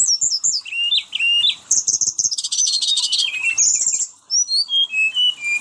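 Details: Long rolling song of a brown-chested jungle flycatcher: high thin whistles and chips run into a fast buzzy trill, then descending clear slurred notes repeated in a steady series.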